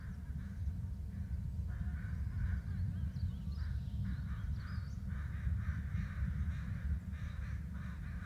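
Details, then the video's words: Paired adult bald eagles calling, with a long series of harsh squealing notes that grows denser mid-way into rapid chatter, under a steady background roar of wind. "Dad and Em calling"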